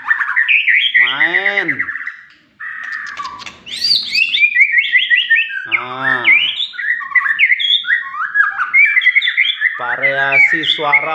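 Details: White-rumped shama song of loud, rich and varied phrases. Harsh harmonic descending notes alternate with fast rising whistles and tumbling jumbled notes, with a brief pause early on.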